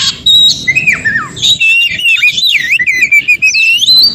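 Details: Wild Oriental magpie-robin singing in the forest, a song used to prompt silent captive birds to sing: loud, clear whistled notes sliding up and down, then a continuous warbling run with rapid twisting phrases, steady low background hum.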